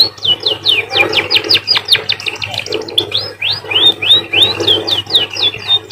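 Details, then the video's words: Canary-like munia (emprit) song: rapid, rhythmic strings of sharp downward and upward whistled sweeps, about three or four notes a second, continuing without a break against a faint low hum. "emprit bird sounds like a canary"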